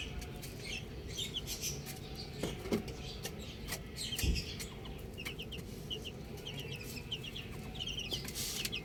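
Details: Baby chicks enjoying being outside utter scattered high, falling peeps that gather into quick runs near the end, mixed with clicks, taps and rustling sounds.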